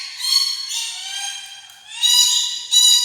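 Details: Rainbow lorikeet giving drawn-out, strained, harmonic screeches, a long wavering note followed by two louder shrill blasts.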